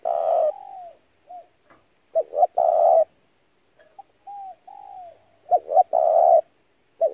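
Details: Spotted dove coo phrases for luring doves into a trap: loud sustained coos alternate with softer, falling arched coos. Two-note-plus-long-coo phrases recur about every three to four seconds.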